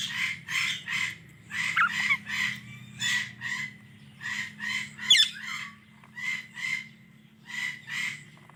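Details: Indian ringneck parrot giving harsh, buzzy squawking chirps, mostly in close pairs or short bursts of three, repeated about every second, with a brief sharper squeal near the middle, over a steady low hum.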